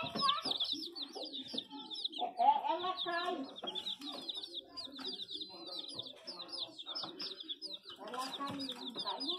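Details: Young chickens giving bursts of shrill, descending peeps, repeated quickly and broken by short pauses, over a murmur of lower clucking and muffled background sounds.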